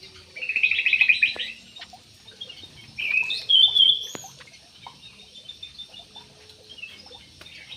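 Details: In an aviary, a parakeet gives a quick rattling burst, then a couple of sharp, harsh squawks, followed by near silence with faint clicks.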